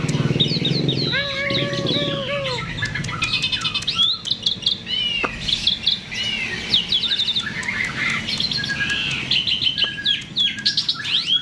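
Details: Myna song offered as a lure to prompt other birds to sing: a long, rich medley of high chirps, slurred whistles and lower whistled notes, with quick clicky bursts and shifting phrases throughout.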